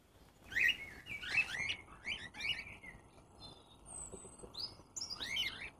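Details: Cockatiels at an animal welfare shelter in Guernsey, awaiting an aviary home. The clip has several short, harsh rising and falling chirps, some in quick pairs, with quieter whistles and faint background hiss between them.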